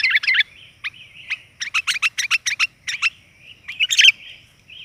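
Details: Female sooty-headed bulbul call used as a lure for males, a warbled phrase, then a rapid series of short sharp chirps and a final loud bubbly burst, with faint low background hum.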